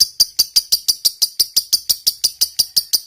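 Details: Lovebird, fighter type, chattering in the long 'ngekek' style. Crisp, high, grating notes repeat at an even pace of about five or six per second throughout.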